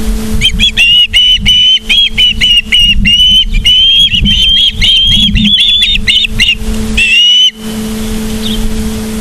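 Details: Osprey calling at the nest in Charlo, Montana, late afternoon of 24 August 2023: a rapid, almost continuous series of piercing whistled notes, several per second, above a steady low mechanical drone.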